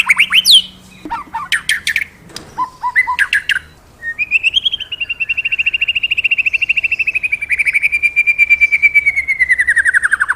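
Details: Magpie-robin singing loudly; a few sharp whistled and chattering phrases, then a long rapid trill of pulsed notes near one pitch, slowly falling over about six seconds.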